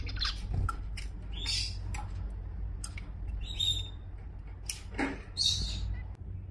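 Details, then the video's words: Zebra finches in Singapore, November 2024, giving short nasal buzzy honks in scattered bursts, several overlapping, over steady low background hum. "Zebra Finches"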